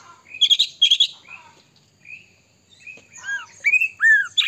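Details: White-rumped shama song used to trigger other shamas to sing: two loud harsh chattering bursts, a pause with soft whistles, then descending whistled slurs.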